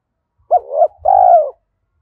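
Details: Decoy spotted dove cooing to stimulate wild birds, thổ voice: a fast hooked two-part note, then a sustained, rounded coo sliding gently downward. Only faint low thuds accompany it.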